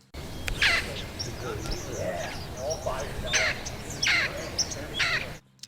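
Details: Red-crowned Amazons flying over a roadside tree line near Peter's Canyon, California, in the morning, giving harsh, raspy squawks, four loud bursts about a second apart, with softer grating calls between, over steady noisy background.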